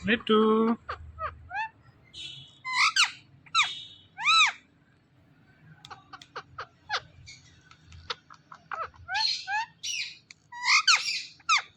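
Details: Rose-ringed parakeet talking, repeating its words: a run of short, rising-falling harmonic syllables and squawks in bursts, with quiet gaps and a low hum underneath.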